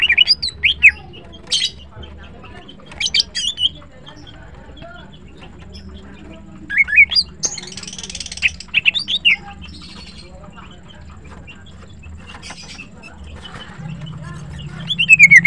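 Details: Morning song of a caged green cucak, or greater green leafbird: scattered bright whistled phrases and buzzy chatter, separated by quiet gaps, with a louder rough burst near the end.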